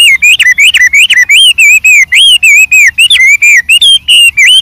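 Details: Wild white-rumped shama singing a varied song: rapid run of loud whistled, slurred notes wavering around a steady mid-high pitch, about three to four notes per second, with thin high overtones.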